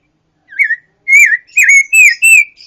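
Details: Pancawarna bird in a recording used to tutor other songbirds: a series of loud, clear, slurred whistles, rising then falling, four to five notes in quick succession after a short opening note, with no background noise.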